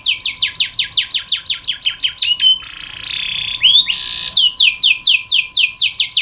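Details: Canary masteran tutor song for birds reluctant to sing: a long run of rapid descending notes repeated several times a second, a short buzzy whistled phrase, then another fast descending tour, over a faint hum.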